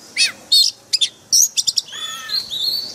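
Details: Caged-bird training recording of white-rumped shama forest-style song: a few loud, sharp, high whistled notes in quick succession, followed by a softer descending trill and a long high thin note.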